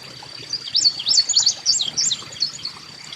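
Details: Carolina Chickadee in a backyard bird garden feeding station, giving a quick run of very high, thin chirping notes, about three per second, over a faint steady hiss and background trickle.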